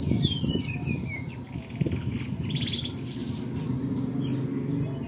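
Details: Canary singing "Merlok Setvol": a burst of descending whistled notes opens, followed by fainter chirps and short repeated notes, with a loud low rumble of background noise throughout.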